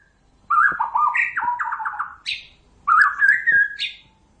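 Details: Song of a white-rumped shama used to lure birds into traps: two loud bursts of mellow low whistles and stepped, warbled notes, each ending in a high buzzy upslurred note.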